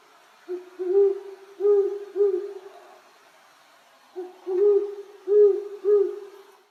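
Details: Great horned owl (Bubo virginianus), hoot.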